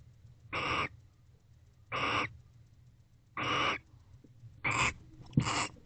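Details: Barn owl pair in an owl box at night on 19 October 2024, affectionate after mating; five rasping, noisy hiss bursts, the last two closer together, over a low steady hum.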